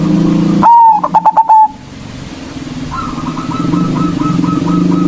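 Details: Local zebra dove singing loudly as a lure to rile rival doves. One strong phrase: a rising coo then a rapid run of clipped pulses. A fainter, evenly repeated trill of notes follows in the background.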